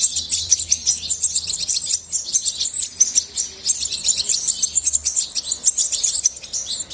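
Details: Song of a European goldfinch kept by hobbyists, a bubbling medley of high chirps and fast trills delivered almost without breaks, with a faint low hum in places.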